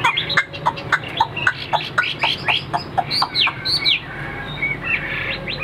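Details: Newly arrived tame Chinese hwamei: choppy repeated notes about four per second, mixed with a few high upslurred whistles, over steady background noise.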